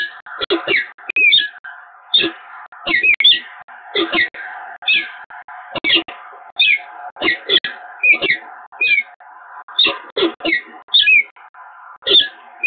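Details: A peregrine falcon pair meeting at the nest site on the Evoluon, Eindhoven, 7 March 2022, in a long greeting exchange: dense series of scratchy, chattering calls with quick falling notes, repeated steadily throughout.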